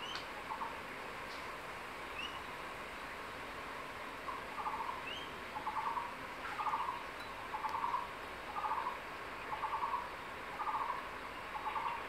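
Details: Male crested goshawk at a secondary-forest nest calls his mate to come and eat the tree lizard he brought. After a quiet start, about eight short pulsed chatters are repeated roughly every second. Soft rising whistles from other birds are heard.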